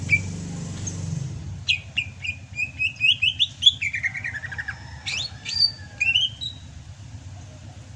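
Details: Greater green leafbird of Sumatra singing strongly in the rainy season: a long string of quick whistled notes stepping downward, then a few sharp rising slurs. A low rumbling hum runs underneath.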